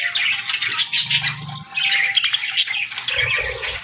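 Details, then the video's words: Morning budgerigar chorus of busy overlapping chirps and short squawks, warbling steadily, with low soft rumbling bursts underneath twice. "Birds Chirping Sounds 🌅🐦 Budgie Morning Melodies for a Happy Start!"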